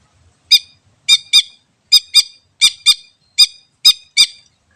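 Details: Greater green leafbird in the wild, recorded as a lure sound: sharp harsh notes with bright harmonic stacks, given singly and in pairs about every half second, over a silent background.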